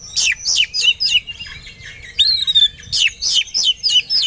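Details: White-rumped shama provoked into aggressive song, ready to fight: continuous loud high harsh notes sliding downward, repeated rapidly about three times per second, with a sweeping whistle mid-sequence.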